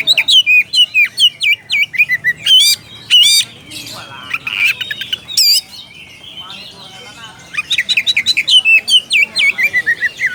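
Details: Oriental magpie-robin calling a rival: rapid runs of sharp whistled and chattering notes, rising and falling, in dense bursts with a brief pause midway before a fast repeated series resumes.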